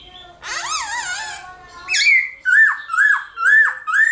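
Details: Black-throated laughingthrush in competitive morning song, used to rouse other laughingthrushes to sing: a harsh, rich burst, then a series of loud, clear whistled notes rising and falling, repeated about twice a second.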